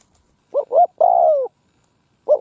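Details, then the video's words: Decoy spotted dove cooing in a field in Vietnam to lure wild birds: a single phrase of two short coos and an extended descending coo, with the next phrase beginning. "Tiếng cu mồi đất gù gáy vang dội cánh đồng"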